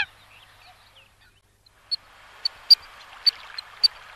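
Eurasian coot giving sharp, high, clipped 'pik' notes, about six over two seconds at an uneven pace, over a steady background hiss.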